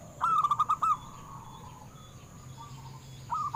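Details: Local zebra dove song for stimulating captive doves: a brisk burst of about six loud rolling coo notes, a soft trailing coo, then a new burst beginning at the end; light steady hum.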